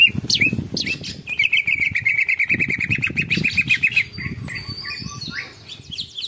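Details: Greater green leafbird (cucak ijo) singing 'ngekek panjang': sharp chirps lead into nearly three seconds of quick, repeated rattling notes, then thin high whistles, with low thuds and rustling throughout.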